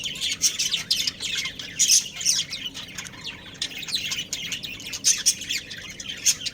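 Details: Breeding pair of budgerigars chattering steadily, a dense run of high, buzzy chirps and squeaks with regular louder peaks, never pausing for long.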